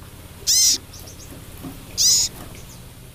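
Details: Two loud, raspy, hissing calls with falling tails, about one and a half seconds apart, from a female crested jay calling the male; faint soft ticks between them.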